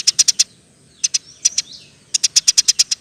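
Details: Lively Eurasian tree sparrow, 'roll tembak' song for tutoring songbirds: a quick cluster of four sharp chirps, scattered single and paired chirps, then a steady run of eight bright high notes.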